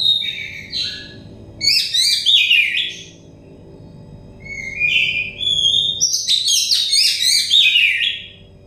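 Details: Oriental magpie-robin song used as therapy for a stressed bird: bursts of varied whistles and quick chattering trills separated by short gaps, with a faint constant low hum underneath.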